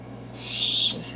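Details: Youngest of three captive-bred Blue-headed Macaw chicks, aged six, five and two weeks, calling as it is readied for feeding; one harsh, hissing screech lasting about half a second, with faint room hum.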